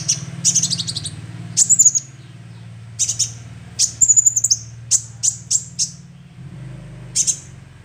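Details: Young sunbird calling, recorded for luring: bright high chirps in twos and threes, a short trilled whistle, then evenly spaced single tweets, with a low hum fading partway through.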